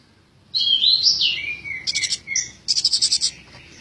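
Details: Tame Eurasian tree sparrow giving a twittering run of slurred whistled notes sliding downward, followed by sharp chirps and a rapid, pulsed rattling chatter at the end.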